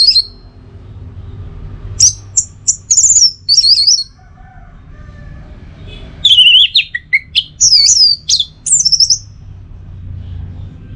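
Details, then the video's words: Two bursts of varied high, twittering phrases from an orange-headed thrush with a few seconds of quiet between them; teler song intended to prompt and tutor kept birds. A faint low hum runs underneath. "Masteran sekaligus Pancingan Burung ANIS MERAH Agar Selalu Bisa Menikmati Telernya"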